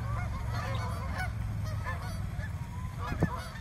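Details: A large frightened swan flock, more than one hundred birds in a small park, calling together in a constant jumble of nasal honks over low background rumble.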